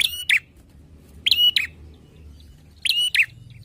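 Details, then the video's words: Bar-winged prinia, Indonesia, giving its clear, loud song: three bursts of two rasping chirps, roughly one and a half seconds apart, with low background noise. "PLONG ,NYARING KICAUANNYA !! TERBUKTI CIRI PRENJAK BERKUALITAS"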